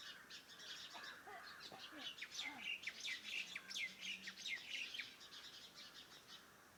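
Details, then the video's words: Birds around a farmhouse in the morning: a busy mixed chorus of high chirps, twitters and short whistled notes from many birds at once, fading slightly toward the end. "Sounds of birds in the morning around my farm house"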